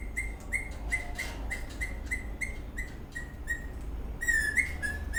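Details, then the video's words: Happy Eastern rosella parrot dancing and chirping: a rapid, evenly spaced run of short high piping notes, ending in a louder slurred whistle, with low background hum. "The Eastern Rosella parrot is dancing, whistling and chirping in happy mood"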